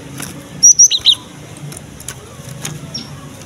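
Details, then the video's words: Cinereous tit song used to draw young birds into singing: one brief phrase of four rapid high whistled notes, the later ones lower and slurred, then quiet background hiss. "KICAUAN BURUNG GELATIK BATU GACOR"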